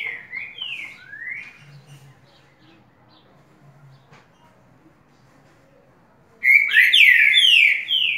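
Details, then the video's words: Currucutil singing a lot: a few quick downslurred whistled notes open, followed by several seconds of near quiet with a faint low hum, then a loud burst of tumbling, overlapping descending whistles and high chirps. "Currucutil cantando muito"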